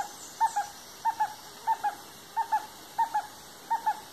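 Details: Stresemann's bristlefront, a female described as the last of her kind: paired mid-pitched whistled notes, each pair repeated about every two-thirds of a second, six times, over soft steady hiss.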